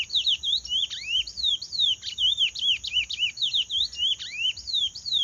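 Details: Paraense-style song of a chestnut-bellied seed finch, a lively unbroken series of loud, looping whistled notes that dip and rise about four times a second, with a constant thin high tone behind.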